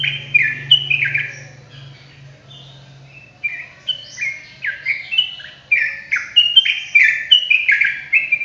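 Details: Sooty-headed bulbul in full ropelan song for tutoring: bright whistled notes in quick chains that dip and rise, with a brief lull midway before the phrases pick up again, over a faint steady low hum.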